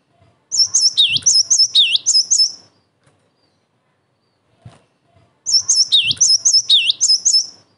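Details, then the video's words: Lively cinereous tit song used as a lure and as a training recording for young tits: a bright phrase of rapid high whistles with deep downward swoops, a silent gap, then the phrase again. "TIDAK ADA SEMENIT GELATIK BATU MANAPUN PASTI NYAUT"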